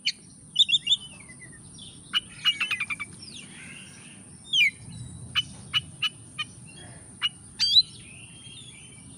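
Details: Oriental magpie-robin song used as a lure for lazy birds: scattered sharp ticks and clicks, short twisting whistles and a rapid stutter of repeated notes, separated by pauses, over a steady high whine.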